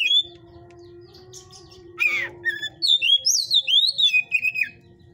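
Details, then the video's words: Caged white-rumped shama of the 'panas' (hot) type at a breeder's aviary, unedited: a rapid run of loud whistled, swooping phrases in the second half, sliding down in steps, with a brief rasp before and a steady low hum beneath. "Bunyi kacer tipe panas"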